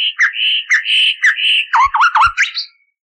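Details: Common nightingale song from an old recording, thought to be at least 30 years old and cleaned of noise, used to train canaries: a run of even whistled notes, then four quick downward-swooping slurred notes fading out, with no other sounds.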